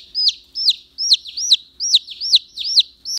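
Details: Loud piercing peeps from a domestic chick, likened to an alarm, each note a high arched whistle falling steeply at the end, repeated roughly every half second without pause; quiet background.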